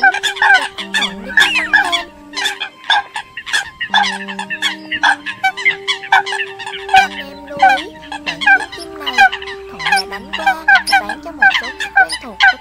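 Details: Lure recording of Eurasian coots for trapping, made October 2020: a crowded chorus of short, honking, harmonic calls, repeated irregularly about forty times a minute, with faint low droning lines underneath.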